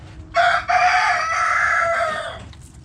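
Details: Backyard rooster crowing: one loud, harsh, sustained crow of about two seconds, starting with a brief break and then holding steady before fading.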